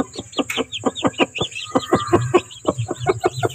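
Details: Desi chickens on a Pakistani farm with chicks and eggs, giving a rapid run of short, sharp clucks, about four to five per second, some in quick doubled bursts, over a steady high electrical whine and low hum.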